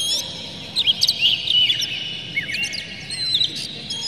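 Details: Kept Oriental magpie-robin singing to trigger other magpie-robins, giving slurred rising and falling whistles mixed with sharp chirps, with a high steady tone and low hum behind.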